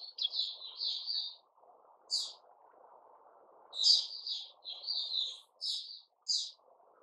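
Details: White-crowned shama kept caged while growing new feathers, 6 September 2021: quieter, intermittent whistled phrases and sharp high notes separated by gaps, over a soft low background hum.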